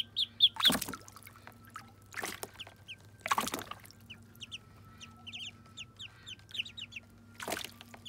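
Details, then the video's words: Muscovy ducklings at their first bath: high, downslurred peeps in quick pairs and runs, broken by loud bursts of splashing water, over a steady low hum. "Muscovy Ducklings’ First Bath 🛁💦💦💦 [Original Sounds]"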